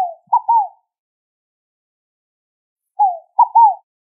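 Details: Two repeats of a scaled dove's mellow three-part coo, low hooting notes falling gently in pitch, phrases spaced about three seconds apart in an otherwise silent background.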